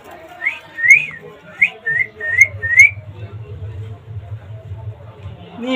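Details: Rescued rose-ringed parakeet (ringneck) kept in Bangladesh, talking by mimicking human speech: five short, high-pitched, nasal syllables in quick succession over about two seconds, followed by a low steady hum and a faint rasp at the end.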